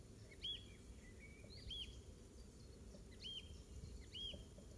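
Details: Garden-singing icterine warbler at Pieterburen, 17 May 2022, copying oystercatcher calls: loud, clear piping whistles repeated roughly every second with softer linking notes, against a low rural background rumble.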